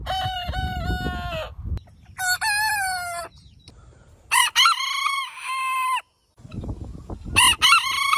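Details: Rooster crowing in the morning, several crows from more than one bird: long harmonic notes with a stuttered start and a held tone. A low rumble runs underneath between the calls.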